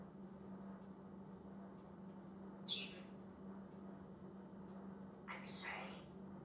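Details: A talking male African grey parrot gives two short, harsh, high squawky bursts about two and a half seconds apart, over a steady low electrical hum.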